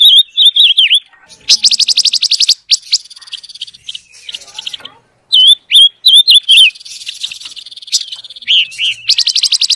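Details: Rainbow lorikeet song used for training caged birds: loud, clear whistled notes alternate with rapid buzzy trill bursts, all high-pitched, in uneven phrases with short pauses between them.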